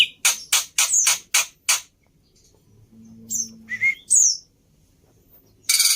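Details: Javan pied starling recorded as a tutor song for kept birds: a quick series of six harsh rasping notes, a quiet gap, then sharp high whistles and a final loud burst.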